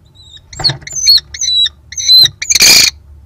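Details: Male American kestrel at a nest box in April 2022, during the breeding season after the female laid her third egg, announcing his arrival with harsh, high, raucous calls in four quick bursts, ending with a louder, rasping squeal.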